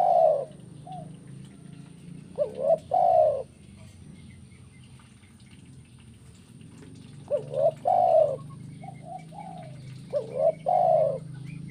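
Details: Spotted dove kuk 1 call. Three bursts of short rising coos, each closing with a drawn-out deep coo, separated by long pauses over a steady low hum.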